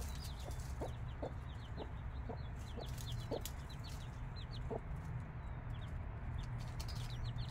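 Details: Five-day-old chicks with their mother hen: rapid high, downward-slurred peeps overlapping steadily, while the hen gives short low clucks spaced about half a second apart over a constant low hum.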